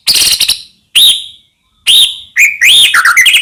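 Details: White-rumped shama song used as a lure for other shamas: loud, spaced, ringing whistled notes about a second apart, then a quicker run of varied slurred whistles.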